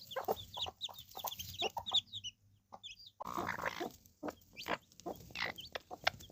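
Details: Three mother hens with seven chicks: low, broad clucks from the hens mix with thin, high, downward-slurred peeps from the chicks, in uneven bursts with a short quiet gap midway.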